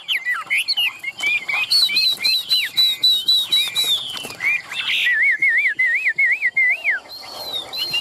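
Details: In a Vietnamese cage, a Chinese hwamei with spread tail pours out quick repeated high whistles, then a wavy trilled phrase cycling about five times, with a brief flutter of wings midway.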